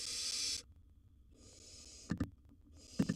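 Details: Barn owl owlet at its wild nest box with gerbil prey; one harsh hiss fades out, a softer hiss follows after a pause, with a few sharp knocks near the end.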